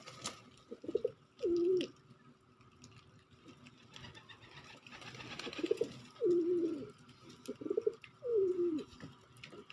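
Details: Pigeon cooing indoors: three low, wavering coos, each a brief throaty note then a longer falling purr, spaced about three seconds apart, over a faint steady hum.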